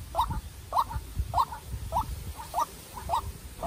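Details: White-breasted waterhen, a young decoy bird, challenging a wild rival. Short, slightly rising notes repeat nearly twice a second over rustling and low background noise.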